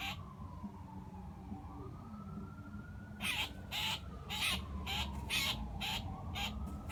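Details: A blue jay caught mid-flight by a hawk and pinned on the ground in a front yard while being plucked screams in distress until dead, harsh ragged bursts about twice a second after a quiet start, over a wailing siren and low traffic rumble.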